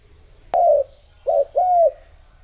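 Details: Spotted dove kept as a decoy to attract other doves, giving one drawn-out falling coo after a sharp click, then two more low, arched coos in close succession.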